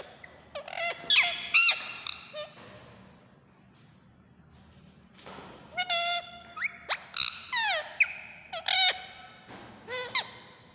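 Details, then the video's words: A pet parrot, described as a talking green ringneck, gives a series of loud, harsh, nasal squawks and short vocal bursts in two spells separated by a quiet pause of about three seconds. "Mitthu Parrot Ki Awaz | Mithu Mithu"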